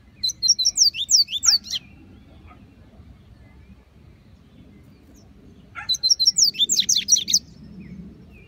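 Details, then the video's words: Double-collared seedeater singing out in the bush, two quick bursts of high, twisting whistled notes about four seconds apart, with a low rumble of background noise between them. "Coleiro cantando no mato"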